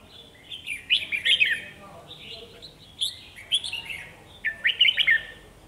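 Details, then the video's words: Red-whiskered bulbul decoy singing vigorously in a trapping session to attract wild birds; three bursts of loud, fast warbling phrases of quick rising and falling whistles, with pauses between. "Bẫy chào mào Mồi chơi quá sung bổi còn né"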